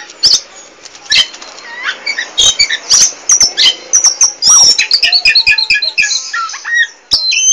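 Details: Chatty Oriental magpie-robin of the poci type: rapid varied whistles and clicks building to a fast run of repeated high chirped notes, ending abruptly after a short pause.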